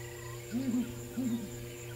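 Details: Female southern ground hornbill, probably a bird often seen alone, calling in wet weather on a sunrise safari drive in Africa, 21 February 2018: two deep, booming, eerie hoots about half a second apart over a steady electrical hum.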